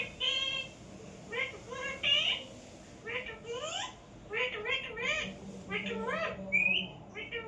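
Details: Pet parrot indoors chattering almost nonstop in short nasal syllables, mimicking speech, with a few brighter whistled notes and a low hum in the room.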